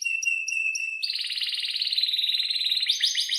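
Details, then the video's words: Atlantic canary kenari song for coaching young canaries: a few sharp high whistled notes, then a dense rolling buzzy trill held for two seconds, followed by quick rising notes. "kenari gacor panjang buat pancingan kenari paud belajar bunyi agar NYAUT"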